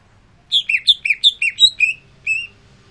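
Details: After being sunned, a greater green leafbird sings a short run of about seven bright, slurred whistles, steady and fast, ending with a lone drawn-out note after a brief pause.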